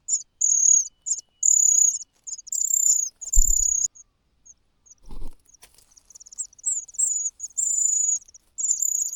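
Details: Hungry cuckoo nestling crying loudly beside fed host chicks; shrill, high drawn-out hissing calls repeated at irregular intervals, broken by two dull thumps midway.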